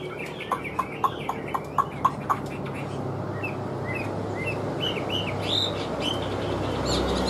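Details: A caged Chinese hwamei, large and noted for good singing. A run of sharp clicking taps comes first, then a string of short whistled upslurs and looping notes.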